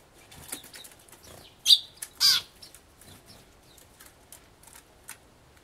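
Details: Eurasian tree sparrow at a feeding table gives two loud, harsh, buzzy 'jū' cries about half a second apart while driving off white-eyes feeding on juice and persimmon, among faint ticks and possible wing flutters.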